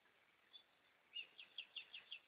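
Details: Goldfinches singing at night, a row of six bright, slightly slurred chirps repeated roughly every fifth of a second after a faint opening note.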